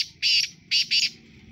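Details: Sindhi kala tetar, the black francolin, utters three loud rasping, grating bursts, the last two set close together, against a quiet background.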